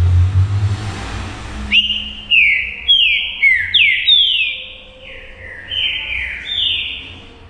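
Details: Green-winged saltator, a caged bird singing to stir other saltators into song: after a short noisy start, loud whistled phrases of slurred notes that drop from high to mid pitch follow one another quickly, with a few fainter softer notes at the end.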